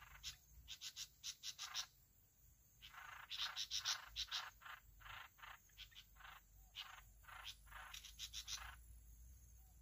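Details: Sooty-headed bulbul from Bình Thuận, used as a lure bird, fighting over territory and a roosting spot: harsh, buzzy chattering bursts in rapid series, pausing around two seconds, then long runs of scratchy repeated notes with a steady high hiss.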